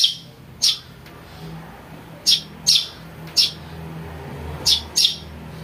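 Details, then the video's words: Young house sparrow, recorded as a lure for catching birds, giving seven high, piercing chirps at uneven intervals, several of them in quick pairs, with a soft low background hum. "Suara anak burung greja untuk mikat"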